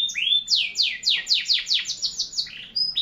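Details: Canary singing a slow series of loud downward-sweeping notes, about four per second, framed by a rising whistle at the start and a short steady whistle at the end.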